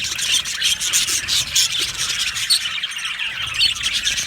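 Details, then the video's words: Budgerigar colony in an aviary, described as happy: fast, overlapping high chirps and scratchy chatter pulse rapidly, with short bright whistled notes poking through. "Amazing Budgies sounds | Budgies chirping sounds | Happy Budgies sounds"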